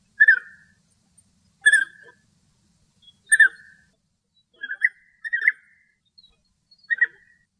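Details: Pair of European bee-eaters, male and female, in Greek countryside giving mellow rolling trilled calls, about seven in sequence, roughly one per second, some notes doubled, against a quiet background.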